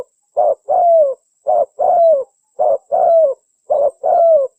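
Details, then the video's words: Lure spotted dove calling in search of a mate, giving four evenly spaced double phrases, a brief soft coo then a drawn-out mellow coo that sags at the end, steady rhythm, no other sounds. "suara burung pikat tekukur mencari taman nya"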